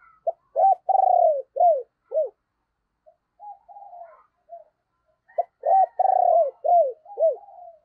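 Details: Spotted dove kept as a lure for wild birds, voice style 'sấm bầu', repeats a loud phrase of short arched coos and one long drawn coo, a quiet gap, then the phrase again.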